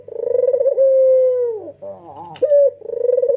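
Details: White red-eyed male Barbary dove cooing in energetic nodding style: a quick fluttering roll, then a long smooth level tone sinking slightly, a soft wavering interlude, and a bright clipped note starting another pulsed coo.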